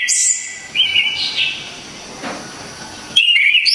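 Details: Javanese orange-headed thrush giving a loud, crisp song for bird training: high squeaky opening notes, whistled wavering phrases, a quiet gap, then a fresh burst of bright trilled whistles.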